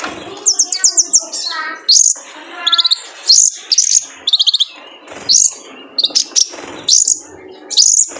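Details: Male kolibri ninja sunbird singing for cage-bird training: thin high chips and rapid tinkling trills in short bursts, with a few lower buzzy notes near the start.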